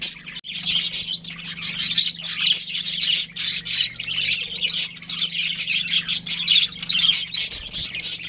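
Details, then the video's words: Breeding pair of budgerigars kept as pets, chattering in a dense stream of high, scratchy chirps and warbled notes with barely a pause, over a low steady hum. "Adorable Budgies Chirping Sounds"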